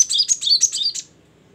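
A Great tit gives a quick burst of about six bright, high chirping notes over one second, then falls silent; no other sounds.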